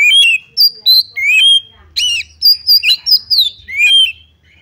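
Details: Oriental magpie-robin singing to provoke a rival into fighting. A loud, varied stream of clear, high whistles and rising and falling notes comes in rapid bursts, with a faint low hum underneath.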